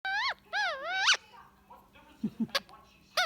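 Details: Pet Indian ringneck parakeet relaxing with its owner in the evening, giving drawn-out wavy whistled tones that dip and rise, then a brief pause with soft faint noises before a sharp squeak and another wavering whistle.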